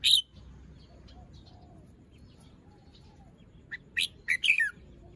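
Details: In the morning a red-whiskered bulbul, feathers fluffed, moult not yet finished and crest still limp, opens with a sharp whistle, then after a quiet gap gives a lively phrase of four or five warbled, slurred notes.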